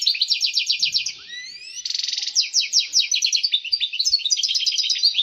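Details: Excited European goldfinch singing to encourage females to mate: fast rhythmic twitter series, rising thin whistles, a dense buzzy trill, then rapid tinkling chirps running to the end.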